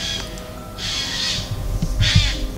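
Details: Eurasian jay (Garrulus glandarius) giving two harsh, rasping screeches about a second apart, over a low outdoor rumble and faint background music, in woodland while hiking; first mistaken for crows.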